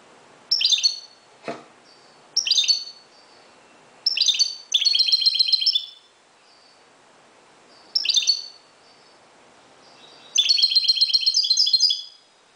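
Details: European goldfinch of Moroccan type singing at daybreak: repeated bursts of liquid twittering and buzzy trills, some longer rattling runs, with brief silences between; one short click-like knock early on.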